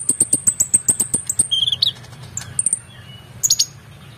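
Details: Excited brown-throated sunbird for tutoring songbirds: opens with a fast series of very high ticking notes, then a lower buzzy phrase and scattered thin whistles, background hum throughout.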